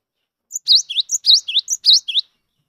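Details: Cinereous tit, gelatik batu, rarely seen in the wild, singing to coax mute birds into song: a phrase of high chirps, some rising and some dropping, mixed with short level whistles, about a dozen notes in under two seconds.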